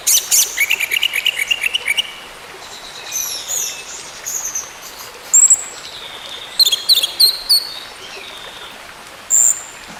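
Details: Orange-headed thrush singing, meant to get a bird that has stopped singing to sing again: a fast stuttering run of high notes opens, then scattered thin whistles and sharp chips over a constant hiss.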